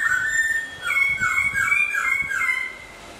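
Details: Hwamei in moult giving a short series of clear, down-slurred whistled notes repeated about every third of a second, over a faint steady high tone in the background.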